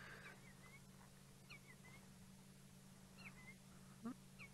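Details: Senegal lapwings in a clearing at sunset on 28 July 2017, Djuma Game Reserve, give thin, piping two-part notes, rising then dipping, in loose pairs every second or so over a steady low engine hum.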